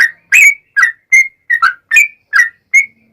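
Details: Yellow-vented bulbul, singing to draw other bulbuls into answering, gives crisp whistled notes with upward and downward slurs, about three per second, clean and loud with no other sound.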